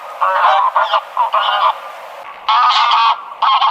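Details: Drawn-out, nasal greylag goose honks in a broken sequence: several linked honks, a short silence, then two more long blasts.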